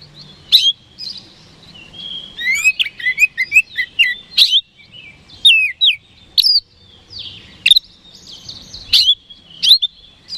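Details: Oriental magpie-robin (kacer), a singing bird kept for contest birding, in rich 'gacor' song meant to provoke rivals; dense run of varied whistles, slurred downward and upward notes and sharp chips, rapid phrases for ten seconds.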